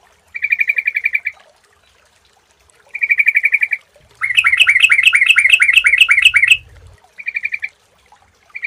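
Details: Sooty-headed bulbul lure recording used to make other birds sing: short bursts of fast repeated bright notes, each lasting about a second, alternating with a denser rapid trilled phrase of rising-falling notes and brief quiet gaps.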